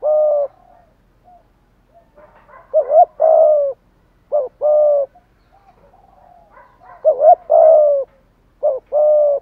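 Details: Decoy spotted dove cooing to draw wild doves, in a fighting-challenge style: a loud phrase repeats three times, each a doubled note followed by a long steady low coo, with soft murmured notes between.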